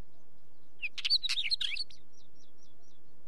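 A wheatear gives a second-long scratchy, chattering burst of rasping notes, then five brief high, thin whistled notes in quick succession against quiet background.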